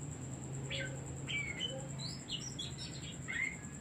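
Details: Oriental magpie-robin singing as a decoy to rouse other birds: brief whistled notes and rising slurs in quick succession, with a low hum and a constant high-pitched whine behind.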